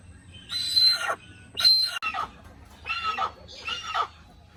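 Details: Little hornbill giving a series of harsh, hoarse squawks, two loud notes followed by two softer ones, roughly a second apart, in a natural setting.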